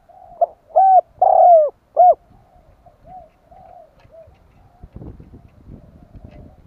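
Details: Spotted dove cooing to entice wild doves: an opening four-note phrase of mellow coos with a long sliding centre note, then softer, quieter coos trailing off over faint background shuffling and tapping.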